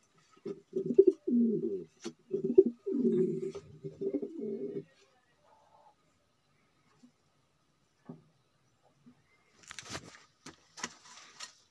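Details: Low, rolling coos of a male domestic pigeon of the magpie breed, several stuttering phrases in close succession over about four seconds, then near silence broken by clattering and rustling.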